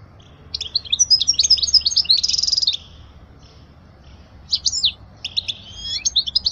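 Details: European goldfinch song meant for teaching young goldfinches: a rapid liquid twittering phrase ending in a dry buzzy trill, a pause, then further scratchy twitters and tinkling notes.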